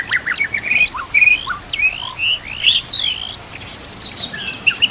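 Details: White-rumped shama song used as a tutor recording, including borrowed phrases of canary and other birds: a quick run of sweeping whistled slurs and short upward notes, continuous and varied, with a soft background wash of flowing water.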